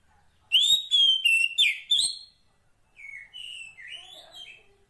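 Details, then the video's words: Female Oriental magpie-robin calling for a male in the wild: a loud phrase of five clear, slightly rising whistles, followed by softer, lower slurred whistles. "Suara Kacer Poci Betina memanggil Jantan"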